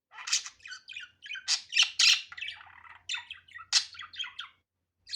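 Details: Budgerigar, natural unedited recording: rapid bursts of scratchy, warbling chirps and harsh squawks, tumbling over one another in quick succession, with a faint low hum underneath.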